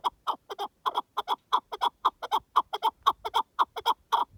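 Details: A partridge in the wild gives a steady rhythmic series of loud, hoarse chucking notes, some paired, roughly two per second, with no other sounds intruding.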